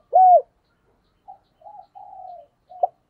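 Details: Decoy spotted dove giving a single strong falling coo, then a few soft, low, drawn-out cooing notes and a short final note, sung while luring and calling other doves.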